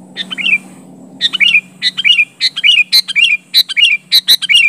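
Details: A sooty-headed bulbul, unmixed with mimicry, pressing a rival with rapid-fire calls: about ten crisp phrases in under five seconds, each a few bright chirps sliding down at the end, with low rumbling noise at the start.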